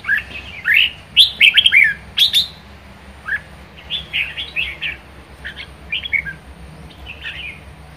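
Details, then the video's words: Vigorous kept red-whiskered bulbul giving 'ché' song: a loud opening flurry of sharp, rising chirps, followed by softer, scattered warbled notes and short trills against faint background hiss. "Chào mào hót hay | chào mào ché hay | chào mào siêu ché"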